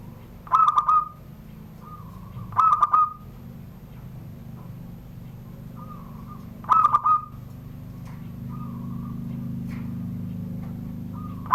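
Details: Caged zebra dove from Serang, Banten, sings repeated SURUNG GDOR phrases about every two to four seconds. Each is a stuttered cluster of notes ending in a held whistle, with softer quiet coos between them over a steady low hum.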